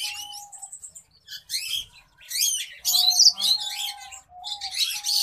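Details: A black-breasted orange-breasted zebra finch chick gives rapid, harsh, buzzy chirps over a thin steady whistle.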